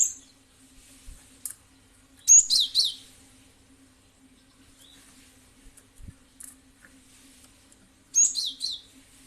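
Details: Cinereous tit sounds played as a lure to draw other birds into answering: two clusters of shrill, rapid chirps with a few isolated high ticks between them and a faint constant hum behind.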